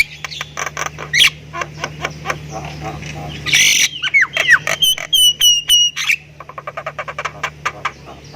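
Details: Javan myna of the Thailand type singing in 'isian' style: scattered scratchy notes, a loud harsh burst, clear falling whistled notes, then a fast, soft clicking rattle, with a constant low hum throughout.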